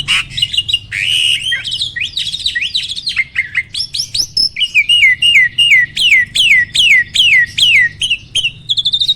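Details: Starling song meant to goad nearby birds into singing: a scratchy, chattering opening, then a long run of repeated downward-slurred whistles, roughly two or three per second, ending in rising squeaks.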